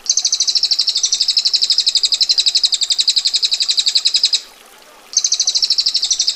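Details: Long, tight ngetir trill of a female bar-winged prinia, a coarse, sharp rattle of fast repeated clicks lasting over four seconds, then a brief gap before another roll begins.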